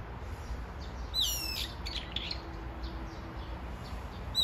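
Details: Calling for its absent mate, a brown-eared bulbul gives a loud, harsh, falling screech followed by softer scratchy notes, then starts another shrill call at the end, with low rumbling noise throughout.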